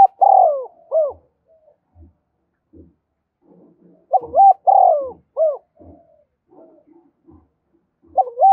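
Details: Spotted dove giving cooing calls meant to spur fighting and provoke newly caught birds. Rich, mellow two-part coos with short hooked notes, repeated at uneven intervals, and quiet low thumps in the gaps.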